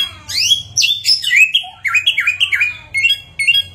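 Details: Chinese hwamei, a bird able to imitate many different sounds, delivering a varied run of loud slurred whistles, sweeping upward then falling, followed by quick repeated chirping phrases over a faint low background hum.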